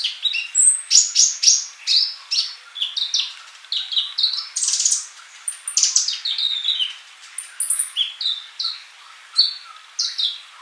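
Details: Male sunbird in lively song, used to tutor young birds that do not sing yet; dense, varied high twittering of sharp chirps, thin whistles and brief buzzy notes, with one soft flutter.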